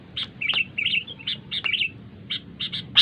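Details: A wild-caught sooty-headed bulbul, played from a phone to train other caught bulbuls' mental strength, gives quick, noisy bubbly chirps and short warbled phrases, about a dozen bright notes in three seconds over faint background hum.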